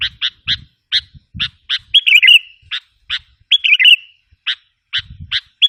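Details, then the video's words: Lure recording of a sooty-headed bulbul meant to rouse wild bulbuls: crisp clipped chirps repeated roughly every second, broken by longer fluttering warbled phrases, with faint low knocks at times. "suara pikat kutilang ampuh 100%bikin kutilang liar emosi"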